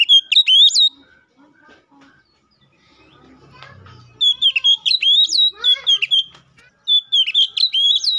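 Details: Magpie-robin singing 'gacor ngeplong' to call a rival, a lure for other kacer birds: rapid whistled upslurred phrases, a quiet gap with faint low murmuring around three seconds, then song resumes with descending trills.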